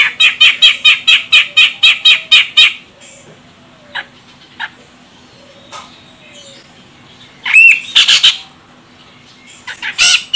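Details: Calling female grey-cheeked bulbul, Medan type from Sumatra, meant to set a male singing: a rapid string of about a dozen even, harsh chattering notes, then quiet, then a few loud rasping bursts.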